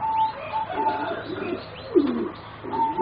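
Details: Young singing zebra doves, four birds about 3.5 to 4 months old, from a line bred for song competitions, giving soft repeated mid-pitched notes and low murmuring coos over a steady background hum.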